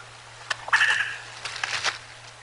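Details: Bald eagles visiting the Decorah North nest on an afternoon, 22 November 2022: a bright, chattering call with a few quick notes, then a run of stuttered squeaky notes and softer scattered clicks.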